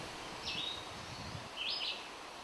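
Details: Red-eyed Vireo singing from a perch in Anoka County, two short, high, slurred phrases about a second apart, each under half a second, over a soft hiss of outdoor noise.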